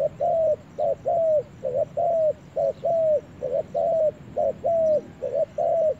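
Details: Spotted dove in the forest for the first time, repeating a rhythmic two-part coo, short then long and arched, over and over about once a second with little variation and a soft background hiss.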